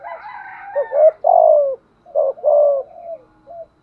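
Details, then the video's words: Spotted dove used as a decoy, cooing to lure wild doves: hollow, slightly falling coos in a short rhythmic phrase, two loud drawn notes and a soft closing coo, with a brief raspy sound at the start. "chim cu mồi gù thúc bổi nghe là chơi ngay/ tiếng chim cu gáy mồi giọng bài bản"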